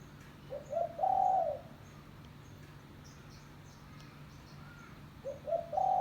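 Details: Spotted dove (tekukur) calling, a recording used for luring doves; two quick low coos then a long sustained coo, the phrase beginning again near the end, with faint distant bird chirps behind.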